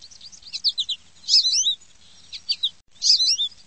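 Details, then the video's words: Sparrow giving quick bursts of high, sharp chirps and short twittering notes, coming in clusters with brief pauses between them. "SPARROW SOUNDS"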